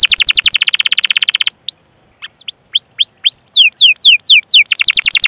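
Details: Canary singing as a lure for young and silent canaries: a rapid trill, a brief pause, a string of spaced rising and falling whistled notes, then the fast trill returns.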